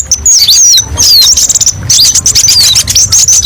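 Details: Olive-backed sunbird, locally kolibri ninja, giving a fast high-pitched master song: thin whistled notes sliding down and up in quick zigzag phrases, with short gaps between phrases.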